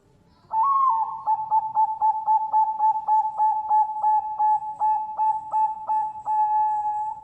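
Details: A farm-bred Bangkok-type zebra dove from Pasuruan, East Java, hatched 20 March 2023, gives a long, mellow cooing phrase on one steady pitch, pulsing about four times a second over a faint background murmur.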